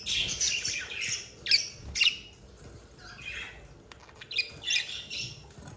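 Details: Loving pair of budgerigars giving grating, buzzy warbles and clipped high squawks in clusters about two a second, separated by short softer pauses.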